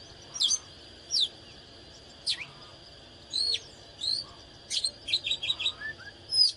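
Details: Fired-up display song of an oriental magpie-robin: clear, sharp whistled slurs given singly at first, then speeding into a quick chattering run at the end, with a steady high whine in the background.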